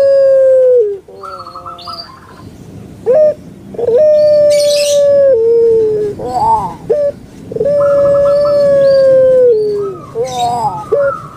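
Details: Barbary dove of the puter pelung style, kept in captivity: sustained level hooting coos alternate with wavering, rolling gurgles and short stabbing notes, repeated over several phrases. A faint higher chirp sounds in the background.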